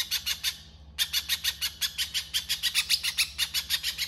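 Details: Little spiderhunter, 'konslet' style masteran: a few harsh high chips, a short pause of about half a second, then a fast unbroken run of scratchy notes; low hum throughout.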